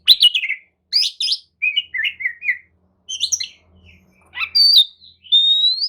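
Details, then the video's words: Oriental magpie-robin lure song intended to make a lethargic kacer reply, with varied warbled phrases and whistled sweeps in short groups, a faint low hum in the background, ending in a long rising whistle. "kicau pancingan kacer atasi kacer loyo! jelas nyaut dan gacor"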